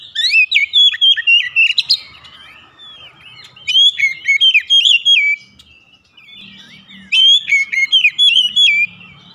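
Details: Oriental magpie-robin singing in the morning: rich, varied whistled phrases with quick warbling trills and jumps in pitch, delivered in three bursts separated by short pauses, with faint low background murmur.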